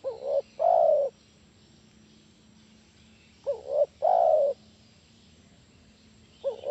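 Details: Spotted dove calling to lure other doves into replying: low mellow cooing phrases, a short double-beat note then a drawn-out sustained coo, repeated roughly every three and a half seconds, with a faint steady low hum behind.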